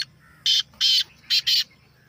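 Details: Black francolin call in a natural recording used to excite a kept bird and get it calling: four harsh, rasping, loud bursts in quick rhythm, the first two paired, then a short gap and two more close together, on a quiet background.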